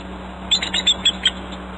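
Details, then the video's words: Male bald eagle sounding alarm at the nest, Humboldt Bay, mid-May, about 5:30 pm, nest camera. Series of six high, thin, chittering notes about every fifth of a second over a steady low hum. "papa sounding alarm"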